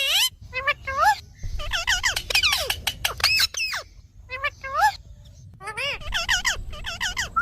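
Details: Talking parrot producing rapid bursts of harmonic, speech-like syllables with sharp squeaky notes, some rising and falling in pitch, in uneven phrases separated by short pauses; faint low background rumble throughout.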